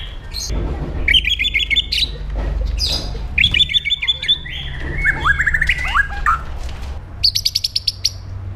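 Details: White-rumped shama delivering an aggressive training song: rapid runs of high whistled and chattering notes, stuttering trills, and a fast ladder of short sharp notes near the end, over low background rumble.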